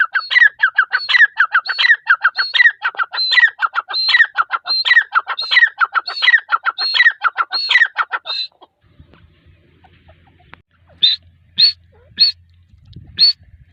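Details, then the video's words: Grey francolin female, teetar, giving a dense rhythmic series of harsh repeated phrases for about eight seconds, then falling quiet except for a low hum and four isolated high sharp notes near the end. "Teetar sound | teeter voice"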